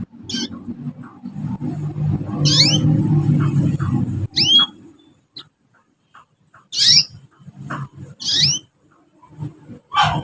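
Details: Several young canaries learning to sing, recorded as a lure for young birds; short, sharp, downward-sweeping chirps come in scattered bursts over a low rumbling background.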